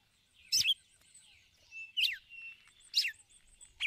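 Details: Female red-cowled cardinal giving ticulau calls to the male: four sharp, downward-sweeping high chirps about a second apart, with a thin steady whistle in the background.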